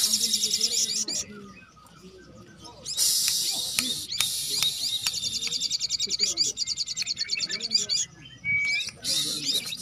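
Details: Several little spiderhunters singing energetically together: dense bursts of high, rapid, sharp chirps and twittering notes repeated in runs, with brief quieter gaps and a faint human voice underneath.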